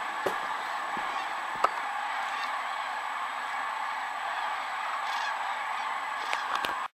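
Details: A huge gathering of migrating common cranes on a Hortobágy lake in Hungary, resting for the night; an unbroken, even roar of countless overlapping trumpeting calls, with several sharp knocks and clicks near the start and end.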